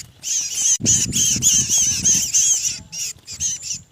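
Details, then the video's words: Mantenan, a small songbird, giving a 'kejepit' (pinched) lure call used to draw mantenan birds together. High, buzzy, harmonic notes come in rapid rattling bursts, about three per second, with low thumping noises underneath. "SUARA PIKAT BURUNG MANTENAN KEJEPIT"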